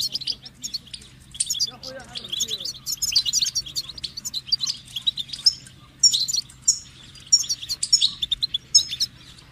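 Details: Goldfinch singing a fast, twittering run of bright chirps and short liquid trills, bursts coming in quick succession, with a brief lower warbled note near the two-second mark and a faint steady hum underneath.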